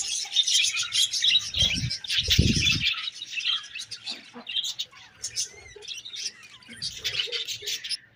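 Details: Budgerigars chatter with fast, high twittering chirps and short squeaky notes, with a brief low rumble early on and some fluttering sounds.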